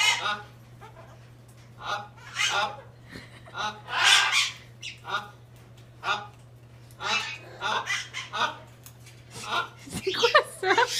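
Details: A captive male hyacinth macaw at a parrot park in St-Placide, Quebec, makes unusual noises never heard from him before, possibly trying to talk to a bird outside: a string of harsh, throaty squawks and croaks, about one per second, over a low hum.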